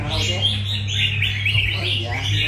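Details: Red-whiskered bulbuls at a singing contest final give bright, bubbly phrases almost without pause, other chirping birds overlapping, over a steady low hum, voices and clapping.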